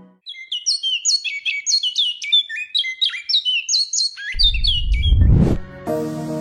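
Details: Dusky Munia, a dark blackish-brown munia endemic to Borneo (Kalimantan), gives a quick run of thin, high chirps, several per second, stepping up and down, followed by a whoosh and a burst of music.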